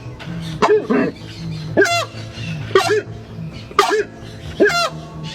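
Horned Screamer giving loud, honking, trumpet-like calls, about five in as many seconds, each with a sharp rising onset; background music plays throughout.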